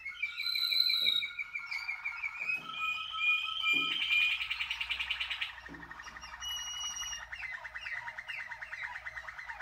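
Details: Waterslager canary, 2019, singing continuous rolling, water-like trills that shift between pitches, a brighter buzzy stretch in the middle, then a steady lower rattling roll, with soft knocks in the room.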